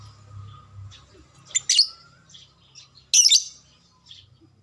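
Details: Lovebird chatter played to quickly trigger a ngekek response from kept lovebirds: two loud, shrill, raspy bursts a little over a second apart, with softer high chips scattered around them over a faint low hum.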